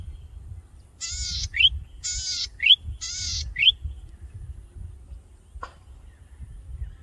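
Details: A male Golden-headed Cisticola in breeding plumage, perched high on a tall grass stalk, sings to attract a mate, with no responses heard: a harsh buzzy wheeze then a sharp liquid rising note, three times about a second apart, over building noises.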